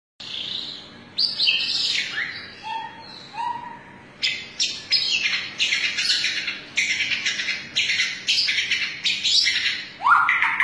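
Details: Long-tailed white-rumped shama firing off song while bowing low, a show style meant to salute the judges; loud whistled and buzzy phrases, rising and falling notes, then dense rapid bursts of sharp chattering notes near the end.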